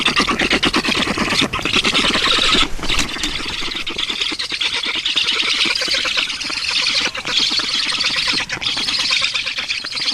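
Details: Black storks in Estonia at feeding time, 15 June 2019 at 14:23: loud, harsh rasping squawks in fast pulsed runs, nearly continuous, with a steady background hiss.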